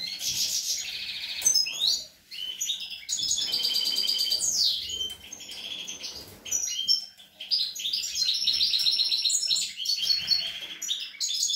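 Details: Twittering song of a young European goldfinch on 25 April 2021, rapid liquid chirps, buzzy trills and sweeping notes run together with two brief breaks.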